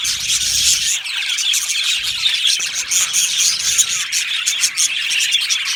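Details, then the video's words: An aviary colony of Australian budgies fills the air with overlapping shrill chirps and squeals, a busy unbroken twittering from many birds, with no pauses or other sounds. "Budgie parrot chirping sounds"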